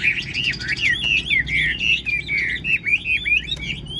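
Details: Chinese hwamei kept caged and tame sings fluid looping whistles, each note swooping down and up, strung together in an unbroken melodious phrase.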